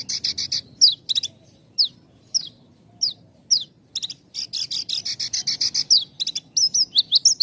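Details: Javan bush lark song with tight gaps, used as a lure for raw and half-trained birds: short slurred whistles about half a second apart, then a dense run of buzzy trilled bursts near the end.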